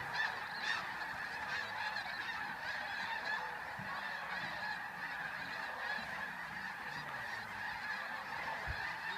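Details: Somewhat distant chorus of a huge goose flock taking flight at dawn from the Flight Deck, Bosque del Apache, New Mexico, in November 2013: steady overlapping honking with no single bird standing out.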